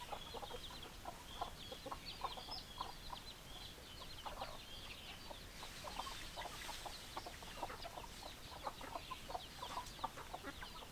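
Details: Flock of hens keeping up a busy stream of short clucks for several seconds. Constant high-pitched chirping and a faint rushing background fill in around the clucks.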